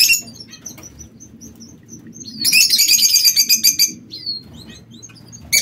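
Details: Aviary king quail: faint thin whistles, then a dense, loud second-long burst of rapid high chirping. It ends in a short downward-sliding whistle and scattered soft notes.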